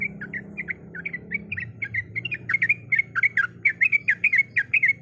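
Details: Breeding female sooty-headed bulbul calling for a male: quick, steady chatter of squawky chirp notes, softer at first and then louder and sharper, about two notes a second per burst, with a low steady hum underneath.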